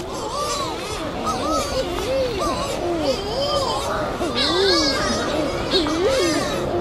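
Shearwaters giving wavering, moaning wails that rise and fall, several birds overlapping in a comical, almost voice-like chorus over a steady hiss.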